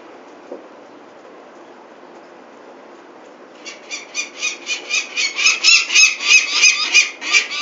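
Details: At Venlo in the Netherlands on 21 May 2024, with chicks being fetched for ringing, a peregrine falcon falls silent for several seconds, then bursts into loud, harsh cackling notes, evenly repeated about three times a second and growing stronger.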